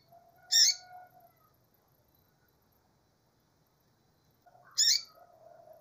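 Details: Two harsh, buzzy high chirps from a calling female double-collared seedeater, about four seconds apart. Each is followed by soft, low, drawn-out whistled tones.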